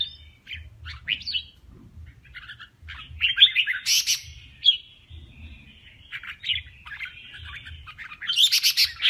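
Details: Competing male red-whiskered bulbul giving 'kè' contest song: scattered short chirps build into a run of quick, fluty warbling notes, with loud harsh rasping bursts near the middle and end over a steady low hum.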